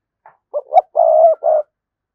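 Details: Spotted dove lure cooing meant to provoke a response: a faint pip, two short clipped coos, then a long steady mid-pitched coo and a final short note, on a silent background.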